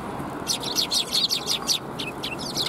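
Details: Sparrows at a Tenmangu shrine, 9 December 2021, chirping in a rapid run of about a dozen bright, high notes, some rising, over low ambient hum.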